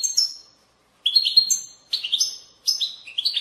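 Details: Twittering babble song of a European goldfinch, used to encourage goldfinches to sing; three or four quick bursts of high, tinkling, warbled notes with steep up-and-down slurs, gaps of silence between, nothing else audible.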